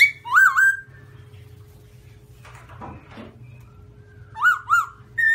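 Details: Black-throated laughingthrush (Garrulax chinensis), white-cheeked form, singing: a loud clear whistled phrase rising then dipping, a pause with faint rustling, then two more similar rich whistles and a start of another; steady low hum beneath.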